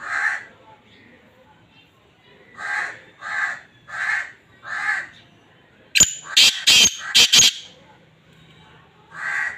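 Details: Kala teetar, the black francolin, uttering its breeding call: a close, harsh series of five grating notes, preceded by a run of evenly spaced, softer cawing notes repeated roughly every half second.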